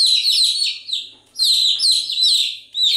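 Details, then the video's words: Chicks peep in dense overlapping runs of shrill falling notes, broken by a brief quiet gap and a second outburst. "Continuous Chirping sound of Chicks"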